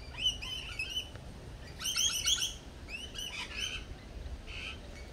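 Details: Several lorikeets at a cafe chatter in shrill, harmonic chirps bunched into busy clusters near the start and middle, with quieter calls after and a steady low hum beneath.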